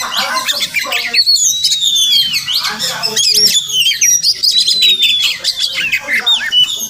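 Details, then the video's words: Oriental magpie-robin, wild, singing near a house each morning; continuous bright whistled phrases mixed with scratchy chatter, several long thin descending whistles standing out, delivered in a busy unbroken stream. "Crazy Sounds of Village Magpie Birds"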